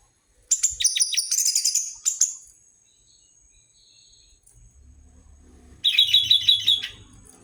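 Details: Orange-headed thrush lure song meant to make birds sing more actively: two bursts of rapid, buzzy, rattling high notes, the first about two seconds long, the second after a quiet gap, with faint low rumble between.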